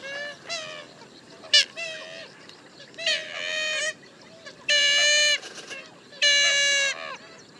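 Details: Grey-headed swamphen calling around rice fields at Prachuap, Thailand, likened to a party blowout whistle: loud nasal honking notes rich in harmonics, some drawn out for half a second or more, others short, in irregular bursts.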